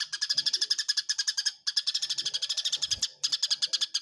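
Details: Fighting Eurasian tree sparrows: sharp high chirps pour out in fast, nearly unbroken runs, cut by two short gaps, with a faint low knock near the end.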